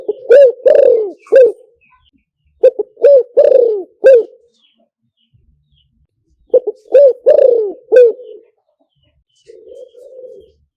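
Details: Spotted dove calls, played through a loudspeaker to lure doves. Three bouts of low, soft cooing, each a quick stutter of short hooting notes followed by a longer, drawn-out coo. A brief murmur is heard at the end.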